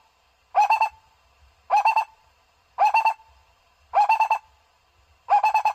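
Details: A barbet call, used for luring birds, gives short bursts of four or five quick, hollow, mid-pitched notes, each burst repeated about every 1.2 seconds against a quiet background.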